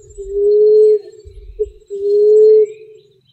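Common emerald dove giving two long, low, soft moaning hoots, each swelling slightly, with a brief clipped note between them; faint rustling underneath.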